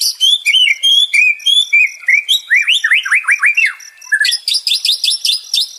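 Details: Varied song of a White-rumped shama, used as therapy for stressed birds: clear whistled phrases, then a run of sharp down-and-up slurred notes, then a quick chattering burst of high notes.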